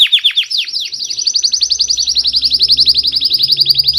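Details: Belgian canary sings fast, high, rolling trills of repeated downslurred notes, shifting from a few quick chirps into a steady rattling tour, over a faint low hum.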